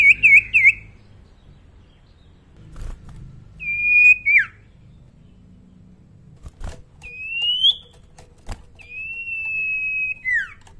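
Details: Young common iora, still quiet-voiced, sings a few rapid looping whistles at the start, then long level whistled notes that bend sharply downward at the end, separated by pauses of several seconds, over a low background rumble and clicks.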